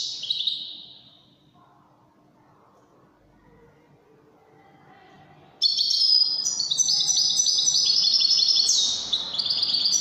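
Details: European goldfinch singing in the Widani style: after a brief high note and a quiet pause, a rapid bright twittering phrase of high tinkling trills and buzzy notes bursts out for the last four seconds.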